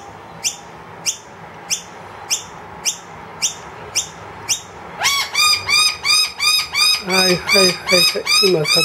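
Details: Wild noisy miner, which has brought two young into a room, calls loudly for food after the feeder runs empty. Sharp high notes come about every half second, then give way to a fast, harsh series of loud piping calls.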